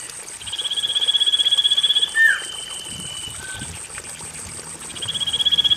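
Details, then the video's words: Common iora song used as a lure to stir lazy caged birds into singing: a long, high, rapidly pulsed trill, then a sharp down-slurred whistle and a lower short note, the trill returning at the end, over trickling water. "Pancingan cipoh malas bunyi"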